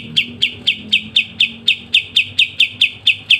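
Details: Pied triller, a kapas tembak, in lively crisp ngebren singing used as master song for training songbirds: sharp bright chip notes repeated about twice a second in an even steady series, faint low hum behind.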